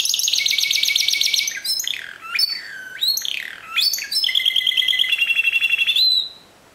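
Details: Discontinuous-style song of a Timbrado canary: fast metallic rattling trills give way to swooping falling and rising slurred whistles, then a steady high trill held several seconds before stopping cleanly.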